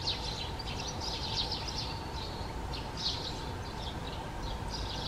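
Great spotted woodpecker giving high, harsh chipping calls in loose bursts about every half second, over a steady low rumble and faint hum.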